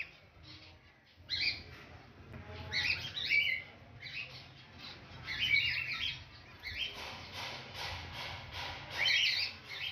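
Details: White zebra finches at a new nest with eggs and two chicks, a parent feeding the young: bursts of high, buzzy, nasal chirps in quick, irregular clusters.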